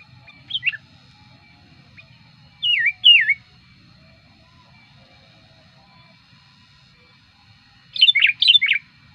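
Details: Sooty-headed bulbul lure recording meant to draw in wild birds: widely spaced short whistled phrases, first a brief pair of notes, then two rising-falling whistles, and finally a quick four-note bubbly burst.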